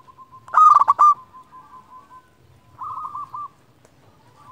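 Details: Zebra dove, a local bird, singing to call rivals as a lure: a loud burst of fast clipped coos, a long soft rolling trill, then a gentler bubbling phrase.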